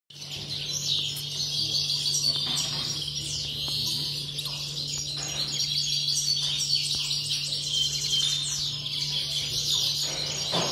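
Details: Caged European greenfinches (Chloris chloris) singing at a bird song competition in Sant Joan Despí, Barcelona, on 16 November: continuous high twittering trills and chattering phrases, several birds overlapping, over a steady low hum.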